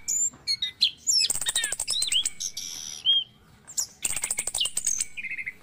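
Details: Morning lure song of an orange-headed thrush, meant to coax stressed caged birds back into full song: dense high chattering trills, upswept and downslurred whistles, then a brief lower whistled phrase at the end.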